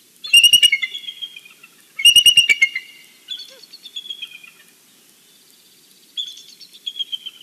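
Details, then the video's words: Bald eagle calling in the morning at its nest in the Big Bear valley, caught on a live nest camera: two loud bursts of high, piping, staccato chittering notes, then softer trailing chatter that fades and returns near the end. "morning song for the valley Big Bear Bald Eagle"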